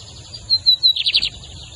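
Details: Lined seedeater (bigodinho) song in a song contest against another caged bird, Brazil: a few high thin whistled notes followed by a quick trilled burst of buzzy chirps, clear over a faint low hum.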